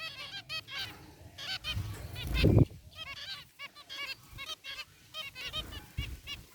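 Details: Several zebra finches, including a rare white one, calling in their cage: rhythmic nasal beeps repeated roughly every half second by multiple birds, interrupted once by a loud low thump.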